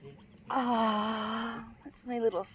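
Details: Easter, a mostly white male domestic goose at a bird rescue center on 23 July 2020, gives a soft, drawn-out nasal honk, then a shorter falling one, while a woman talks gently to him nearby.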